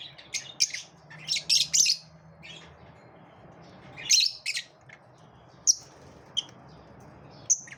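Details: Pet lovebirds in a competitive moment, giving bursts of shrill, high chirps and squeaky notes in quick clusters, then sparser single sharp peeps, over a faint low hum.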